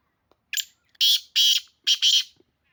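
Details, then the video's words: Black francolin, known locally as kala teetar, from Pakistan giving its call: a brief lead-in note, then a series of strong rasping, scratchy bursts with the final burst split in two, delivered clearly with no other sounds. "Kaaly teetar ki awaz black Francolin calling black Francolin sound black Francolin voice Kala teetar"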